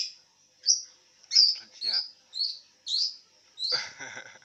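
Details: Lovebird calling while lying down: a run of shrill, high chirps, each a short sharp burst, about seven in four seconds, the last one buzzier and harsher, with quiet gaps between.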